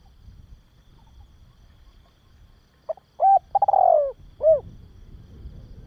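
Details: After a few seconds of faint low background rumble, a spotted dove gives one full mellow phrase: brief lead notes, a level coo, a long wavering descending roll and an arched closing coo. The recording is used to train young doves.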